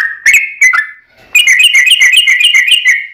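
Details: Long-rolling fighting song of a yellow-vented bulbul, meant to draw replies from other bulbuls: a few separate whistled notes, a brief pause, then a dense, fast buzzy chatter running to the end.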